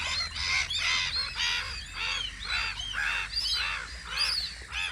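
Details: On Audru polder in spring, gulls at their guard post give a steady series of arched, harmonic yelping calls, roughly two or three each second, with other gull voices overlapping faintly behind.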